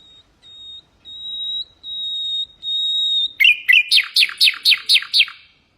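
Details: Nightingale song used as a tutor for goldfinches and canaries: long steady whistled notes held at one pitch, followed by a quick rhythmic series of sharp descending chirps, roughly four per second.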